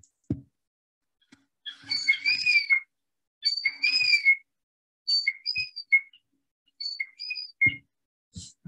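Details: Golden plover, an upland bird, giving clear, plaintive whistles in short slurred phrases, rising then falling, about every one to two seconds; a few soft knocks underneath.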